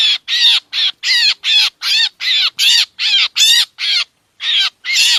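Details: Trapping lure of a black drongo from Laos and Isan, Thailand, also said to attract mynas: loud rasping notes with bent overtones in a steady run, one brief pause near the end, otherwise clean.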